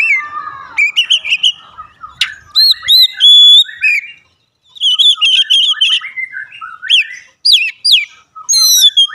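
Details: Oriental magpie-robin (kacer) singing, played daily as a lure to trigger song: chattering and whistled phrases, pure held notes and sharp downslurs in several loud bursts with brief silences.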